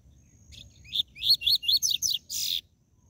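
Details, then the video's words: A 'tui tui zel zel' seedeater song for stimulating captive birds: a quick string of about seven high, sharply slurred notes, ending in a longer buzzy, harsh note, with a faint low hum beneath. "Esquente seu COLEIRO e PAPACAPIM CANTO TUI TUI ZEL ZEL"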